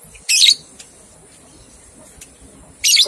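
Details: Lovebird training recording for two-month-old young birds learning ngekek: two loud, shrill, harsh chirps, one at the start and one at the end, separated by a quiet stretch with faint ticks.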